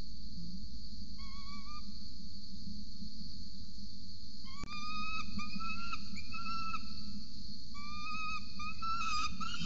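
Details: Peregrine falcon at a nest ledge in Orange, Australia, 26 November 2020, around 8 am, as an adult feeds a chick: thin, drawn-out whining whistles, several in succession, over constant loud hum and rumble.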